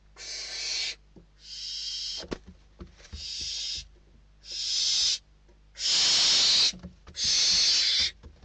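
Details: Hungry barn owl nestlings in Spain squabble over a bird brought to the nest; six rasping, breathy hisses follow one another about every second and a quarter, growing louder toward the end, with faint thumps between.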